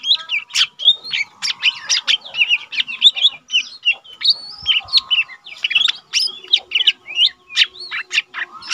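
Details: Dense, nonstop chattering song from a young caged lesser green leafbird, a tutor bird for training others: rapid mixed whistles, twitters and sharp clicks packed closely together throughout.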